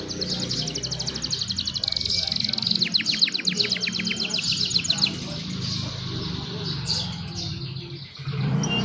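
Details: Young canary song meant to coach other canaries, captured by cellphone: buzzy high warbling that breaks into a rapid trill of repeated sharp notes, over steady low background noise.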